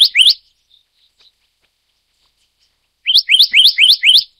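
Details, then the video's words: Rising whistled notes of a Black-naped monarch, the Taiwan endemic subspecies Hypothymis azurea oberholseri: two notes, a quiet gap, then a brisk string of six upslurred whistles. "黑枕藍鶲(黑枕王鶲)/Black-naped Monarch"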